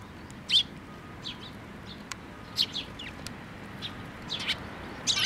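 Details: Several sparrows arriving at a post for food at a Tenmangu shrine, 26 May 2024. Irregular short, sharp chirps, some doubled, separated by brief gaps, over a faint low rumble.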